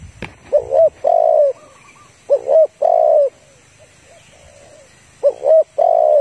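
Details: Female spotted dove calling to a male, used as a trapping lure: three phrases of a quick double note followed by a long falling coo, separated by pauses with faint softer calls and a sharp click at the start.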